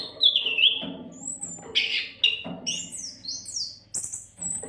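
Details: Oriental magpie-robin singing continuously as a tutor recording for songbirds: high clear whistles and short buzzy slurs, some notes reaching very high, delivered in quick varied bursts over a steady low hum.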